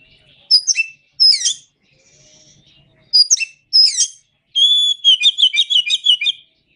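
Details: Kacer masteran recording of Oriental magpie-robin song: two pairs of sharp, falling chirp bursts separated by a pause, ending in a long whistle that breaks into a fast, repeated trill.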